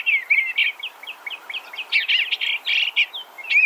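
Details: Eastern Bluebird singing: a quick run of short warbled, slurred notes, some rising and some falling, given in close bursts with brief gaps, ending on an upslurred phrase; faint hiss in the background.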